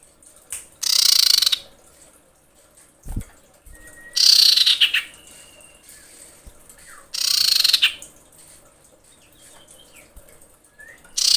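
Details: Female common iora calling a male while amorous: four harsh, rapidly pulsed rattling bursts at roughly three-second intervals, interspersed with brief thin whistles and a low knock.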